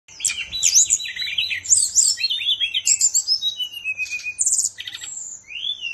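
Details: Kept songbird from Bali, Indonesia, singing a rapid, varied stream of high whistles, buzzy trills and sweeping slurred notes, with quick repeated phrases and a faint steady hum underneath.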